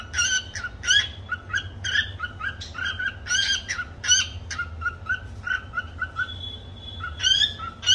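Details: Cockatiel performing the Cookie Song, a learned tune, as a rapid sequence of clear whistled and chirped notes with rich overtones, some held longer, ending with a sustained steady whistle and more chirps.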